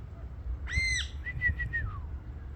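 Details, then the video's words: Ringneck parrot talking: a harsh, rich squawk leads into a short string of clipped whistled syllables ending in a falling slur, over low-pitched background noise. "ringneack parrot 🦜 talking"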